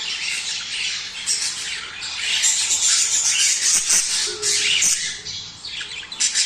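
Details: Budgies chattering in a mating call meant to encourage breeding: rapid, dense twitters and harsh squawks, building louder through the middle with fast repeated chirps.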